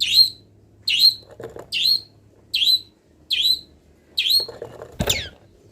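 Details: Long-tailed shrike mid-moult, its full-isian training song stuffed with imitated wild-bird calls: seven scratchy squawks at an even pace of about one per 0.7 seconds, with a soft knock and a sharp click near the end.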